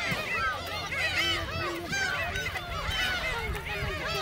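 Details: Several gulls at Seonjaedo, fed shrimp snacks, call over one another in a dense run of arched, nasal squeals, with a low steady hum and rumble in the background.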